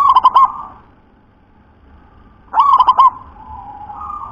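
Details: Local wild-type zebra dove with a deep, thick voice, singing actively: two rolling coo phrases, each a quick run of four or five throaty pulses, about two and a half seconds apart, followed by a soft lingering tone.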